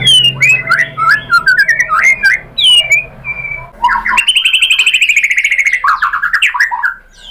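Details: White-rumped shama song used as a lure to provoke other shamas: rich, varied whistled phrases sliding up and down, then after an abrupt cut a fast run of repeated sharp notes, ending in descending slurred whistles.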